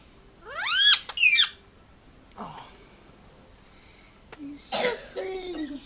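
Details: Male Indian ringneck parrot kept as a pet, at play with its owner: two quick, shrill calls that rise sharply, then a pause, a faint click, and a few softer, raspy rising notes.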